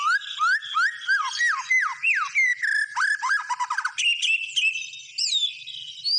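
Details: White-rumped shama in energetic full song: rich whistled notes rising and falling, a run of fast repeated upslurs, buzzy trills and a long high sustained note, loud and clear with no other sounds.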